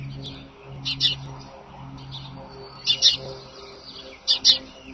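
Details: Sidney bald eagles calling in the morning, 25 March 2011, from a nest cam: three clusters of sharp, high, twinned chitter notes spaced about two seconds apart, over a low droning hum and faint background birds.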